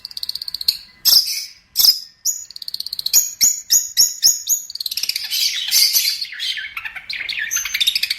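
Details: Master song of a long-tailed shrike for training birds. Thin high notes and a few loud sharp chips lead into a rapid series of clipped ticks, then a dense scratchy twittering run.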